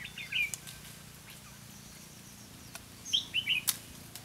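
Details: Red-whiskered bulbul used as a lure bird in trapping, recorded 4 November 2016: one short bright warbled phrase near the start, then a quick cluster of three to four chirpy, slurred notes near the end, over quiet background.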